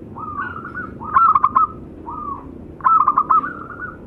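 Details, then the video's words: Male and female local zebra doves used as tutor birds sing. A drawn-out, slightly rising coo gives way to a quick burst of four bubbling notes, and the pattern repeats twice. "perkutut lokal masteran jantan dan betina manggung"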